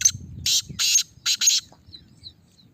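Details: Caged Black francolin being tested: a brief run of four harsh, scratchy notes, the last two close together, then quiet with soft background murmur.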